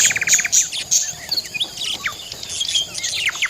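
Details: A flock of budgies chirping: a quick run of short high notes, then a tangle of warbled, twisting chirps from several birds at once.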